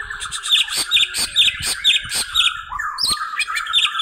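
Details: Cucak ijo, the greater green leafbird, from an Indonesian bird seller, calling to an opponent with rapid, bright, ringing chirps repeated about twice a second over a steady lower trill.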